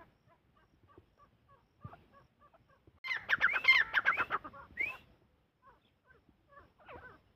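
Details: Francolin (teetar) bursting into a rapid, harsh chattering run of ringing notes lasting about two seconds, ending with a rising squeal. Soft, scattered ticking notes come before and after.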